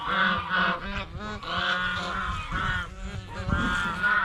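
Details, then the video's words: Geese at a fish pond while eating bread and fresh vegetables, honking repeatedly in nasal, harmonic-rich blasts, several voices overlapping in a steady chorus. "เสียงห่านร้อง ห่านกินขนมปังกับผักสดในบ่อปลาอย่างเอร็ดอร่อย | Goose Sound Effects"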